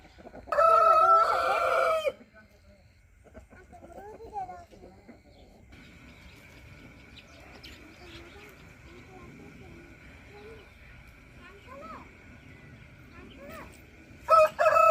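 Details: Rooster crowing: a strong, rich crow of about one and a half seconds, followed by quieter clucks and faint chatter over a steady hum, with a second crow starting right at the end.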